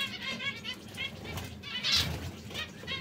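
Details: Colourful canaries, brown, red and yellow, chirp in quick high notes with one louder whistled note near the two-second mark, over faint fluttering and hum.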